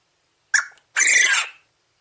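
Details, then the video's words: Quail (Coturnix) gives a short harsh note, then a longer rasping, buzzy crow lasting over half a second; nothing else is heard. "Quail call / crowing / sounds"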